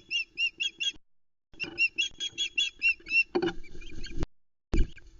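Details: Osprey at its Loch Arkaig nest, Arkaig Community Forest, 12 July 2020, alarm calling at an intruder on a nest camera: fast runs of high piercing whistles, then two loud thumps and rustling near the nest.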